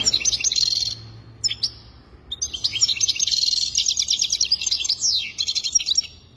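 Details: Goldfinch song in two bursts: a short buzzy trill, a pause with a couple of clicks, then a long run of fast twittering notes, rattling trills and a descending slur.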